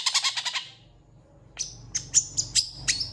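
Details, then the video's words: Long-tailed shrike song with a rapid run of bright, scratchy notes, a short pause, then a series of high, thin whistled notes with sharp, clicking onsets. "CENDET GACOR FULL ISIAN CEPAT DI RESPON PENTET LAIN"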